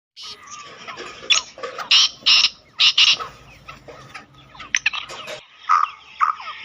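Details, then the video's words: Black francolin, kept as a pet bird, calling in an excited state, used to draw the bird in quickly; harsh grating broadband bursts in uneven clusters, with fainter chirps and a steady tonal note underneath. "Teetar ko Jaldi bulani aur Masti men lane wali Awaz تیتر کو جلدی بلانے اور مستی میں لانے والی آواز"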